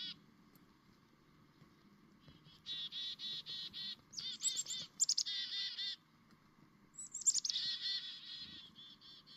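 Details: Morning chickadee calling: a few thin, high introductory notes, then bursts of rapid, buzzy 'dee-dee-dee' notes separated by short pauses, with high, sliding whistled notes leading into the last burst; faint low rumble behind.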